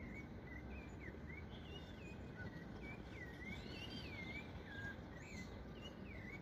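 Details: A ringed, tame female rufous-bellied thrush, free in the wild, sings from a tree after a motorbike startled her: a run of clear, fluted whistles rising and falling in short slurred phrases, over a steady low rumble.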